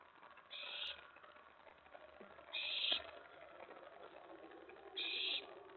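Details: Owl at a nest at night, 24 May 2017, during prey delivery of a mouse and a rat. Three loud, rasping hiss-like bursts, each roughly half a second long, are spaced about two seconds apart with quiet murmur between.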